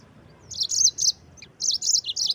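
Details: Yellow-fronted canary in rolling song, two bursts of fast, high, slurred twittering notes separated by a brief pause, clear and loud over a faint low background.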